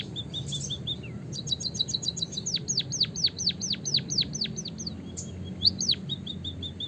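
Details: White-headed munia song used as a lure to stimulate other birds to sing: thin, high chirps, then a quick run of about a dozen sharp, downward-sliding whistled notes over a faint low hum.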